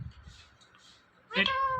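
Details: Pet Indian ringneck parrot speaking: after near silence and faint voices, one loud drawn-out meow-like mimicked sound begins abruptly, harmonic and level in pitch, held for about half a second.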